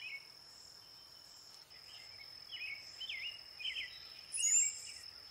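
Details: Brown-headed cowbird: a run of slurred, liquid middle-pitched notes leads into a sharp, very high squeaky flourish near the end, with a constant insect hum underneath.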